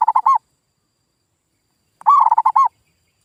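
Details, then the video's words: Local zebra dove lure call: a phrase ending, then after under two seconds another fast run of soft, rounded coos, meant to make birds that stopped calling answer. "SUARA PIKAT PERKUTUT GACOR"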